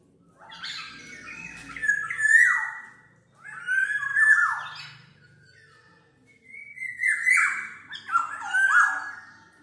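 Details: Three loud phrases of Black-naped oriole song, meant for lure or training use: rich whistles that swoop down, mixed with nasal, mewing squeals and a faint low rumble.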